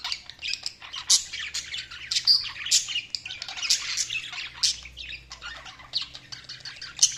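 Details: Chirping budgies: clear short squeaky tweets and scratchy warbles, several birds calling in quick irregular bursts, with a few sharp high peeps.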